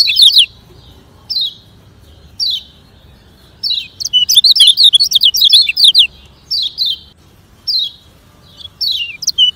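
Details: Training song of a lemon-bellied white-eye in fast 'ngejoss speed kenceng' style: spaced, high, downslurred chirps broken by a two-second flurry of quick zigzag twitters, then single chirps resume.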